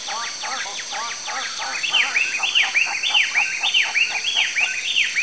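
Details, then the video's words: Southern fork-tailed flycatcher (Tyrannus savana) in Brazil gives dry, high chattering calls, rapid sputtering notes turning into repeated arched, squeaky zips about twice a second, over a steady high hiss. "PÁSSARO TESOURINHA (TYRANNUS SAVANA), SOUTHERN FORK-TAILED FLYCATCHER"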